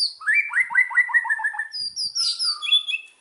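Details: White-rumped shama singing as a lure, Indonesia: a rapid run of short upslurred notes at middle pitch, followed by high clear whistles and a brief harsh burst.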